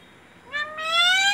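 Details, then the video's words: Parrot imitating "mummy" in a nasal, harmonic voice: a brief first syllable, then a longer second syllable gliding gently upward, with a quiet room background. "Mummy Mummy ।। मम्मी बोलने वाला तोता"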